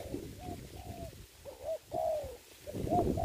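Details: Decoy spotted dove placed on the ground for trapping in Vietnam, cooing in soft low phrases, short notes followed by a longer slurred coo, amid rustling low noise.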